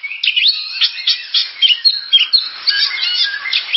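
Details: Oriental magpie-robin singing a fast, rich series of whistles, trills and sharp notes, packed closely together with short pauses between phrases.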